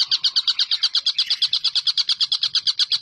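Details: Collared kingfisher in steady, long-running calling, delivering a fast train of sharp, scratchy notes at a regular pace, roughly six per second, with no other clear sounds.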